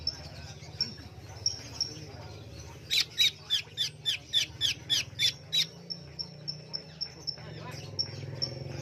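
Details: Caged greater green leafbird singing energetically inside a cage cover: a fast run of about ten sharp, buzzy repeated notes over roughly three seconds, a thin high whistle heard on and off, and a low steady hum behind.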